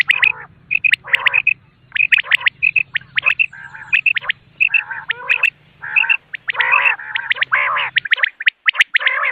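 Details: Common quail in the morning, used for quail hunting: crisp three-note whistled phrases repeated again and again, with harsher chattering notes between them over a low steady hum that stops near the end.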